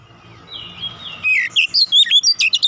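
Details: Magpie-robin song meant to stir a silent caged bird into singing: a soft drawn-out whistle, then a rapid string of bright, clipped high notes and chirps, about ten in a second and a half, with faint room hum behind.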